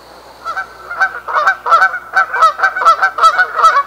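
Canada goose honking, a rapid run of nasal, two-part honks about two or three per second, with a faint steady hum behind.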